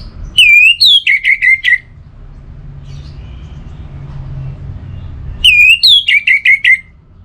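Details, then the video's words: Orange-headed thrush singing, a recording meant to get idle birds singing: two matching phrases about five seconds apart. Each opens with a rising whistle and runs into quick, falling, chopped notes over a quiet low rumble. "Obat Gacor Burung ANIS MERAH Buat Burung Yang Lagi Malas Bunyi"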